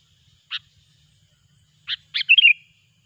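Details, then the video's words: Loud sooty-headed bulbul lure call for trapping: an isolated sharp note, a pause, then two quick chirps running into a short liquid, falling warble. "suara burung kutilang gacor pikat terampuh"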